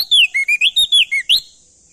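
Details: Male crested darkeye from Nusa Tenggara, Indonesia, singing loudly as a lure to stimulate other birds to sing: a quick run of clear whistled notes, some sliding up, others dropping, eight phrases in under two seconds.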